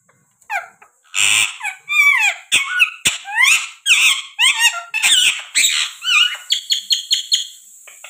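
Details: A pet parrot chatters almost nonstop: loud, squeaky, bending notes and raspy bursts tumble together for several seconds, with a few quick chirps at the end.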